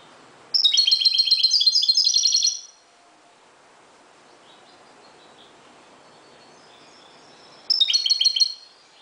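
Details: European goldfinch from Morocco singing at dawn, a dense two-second run of high, rattling twitters, then a long quiet gap before another short burst begins.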